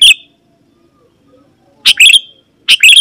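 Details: Sooty-headed bulbul phrases used to lure wild birds: three short bright bursts, each a quick chirp followed by a slurred, slightly drawn-out note, separated by quiet gaps.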